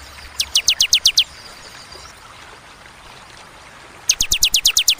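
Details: Bar-winged prinia (Prinia familiaris) song: two quick bursts of about seven high, sharp notes, each sweeping steeply downward, separated by a few seconds of quiet background.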